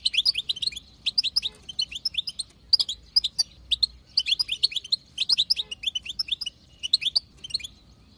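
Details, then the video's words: Wild female European goldfinch batbata, a chatter played so a male will sing: steady bursts of sharp, twittering notes roughly every second, with a slightly quieter stretch near the end. "بتبتة حسون خلوي تهبل الحسون تخلي يغرد غصب عنو"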